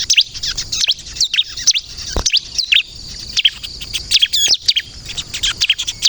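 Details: Bar-winged prinia (ciblek kristal) singing vigorously, a song meant to lure and provoke other birds into answering: quick high twittering notes and short up-and-down slurs in bursts, with brief gaps.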